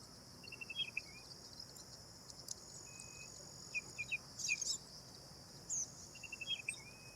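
Black drongo giving short, sharp whistled notes in small clusters, some rising at the end, over a steady high-pitched insect drone.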